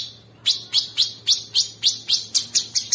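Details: Sooty-headed bulbul masteran for training champion birds, coarse 'ngebren' style. After a short pause, loud sharp downslurred chips repeat steadily about four times per second.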